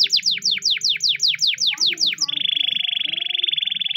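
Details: Spanish Timbrado canary training song: a run of about a dozen quick, bright descending whistled sweeps, then an even, fast metallic trill held steady for nearly two seconds.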